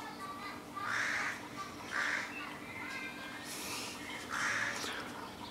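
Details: Young crows in a neighbouring tree between houses, giving three harsh, hoarse calls spaced about a second or more apart, over steady background hiss.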